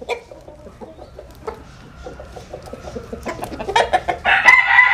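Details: In Vietnam's Mekong Delta, a backyard flock produces soft, rapid clucking pulses for several seconds before a rooster breaks in with a loud, rough crow at the end.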